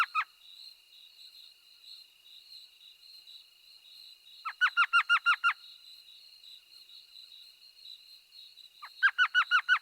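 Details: Elf Owl, the smallest owl, ranging from Texas's Rio Grande Valley to Big Bend, giving laughing bursts of about six high, yelping notes every few seconds over a steady, high insect-like drone.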